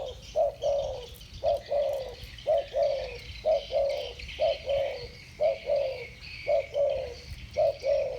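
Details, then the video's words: A pair of spotted doves of the 'thổ bầu' voice type answer each other with a steady run of about eight low two-part coos, a short note then a slightly falling longer one, roughly one per second. "Tiếng chim cu gáy giọng thổ bầu. 2 con giọng thổ bầu solo với nhau"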